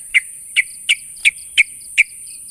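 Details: Sooty-headed bulbul calling to challenge a rival: six short bright notes at an even pace, one roughly every 0.4 seconds, over a steady high hiss.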